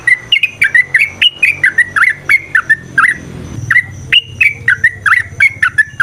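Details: Yellow-vented bulbul (trucukan) song aimed at provoking a fighting response: lively, continuous bubbling whistles, slurred up and down, delivered in quick chattering phrases with one short pause.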